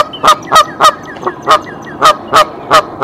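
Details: Goose on her nest at Decorah sounding the alarm to summon her mate, 27 March 2023; evenly spaced harsh honks about three per second, one fainter note in the middle.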